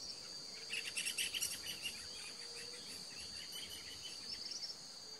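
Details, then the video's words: Two Panama Flycatchers, likely territorial rivals that later fought in the bushes, give quick runs of short, bright calling notes in two bursts over steady insect buzzing; April 2021, 600 m altitude. "Two Panama Flycatchers+ calls"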